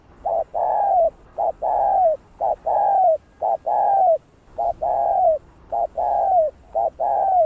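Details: Spotted dove calling and cooing to excite other doves: a steady run of paired notes, a short hooked note followed by a longer buzzy falling coo, repeated about once a second for the whole stretch.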